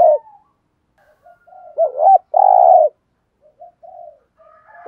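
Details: Lure spotted dove cooing to draw replies from wild birds; soft scattered low notes lead into a wobbling double note and a firm sustained coo, followed by faint quiet coos.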